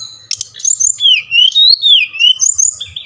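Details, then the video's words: Bali-type Brown-chested jungle flycatcher singing, used to stir captive birds into song: loud, continuous wavering whistles gliding downward and back up in long slurs, with a soft low hum beneath. "SRDC bali | Sikatan Rimba Dada Coklat | putar ini pasti SRDC anda ngamuk gacor dengan suara ini"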